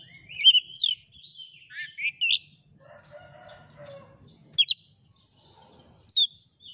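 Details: Oriental magpie-robin song meant to goad a silent bird into replying to a rival: bright whistled and chattering notes early, a soft lower rattly passage midway, then isolated sharp high upswept notes.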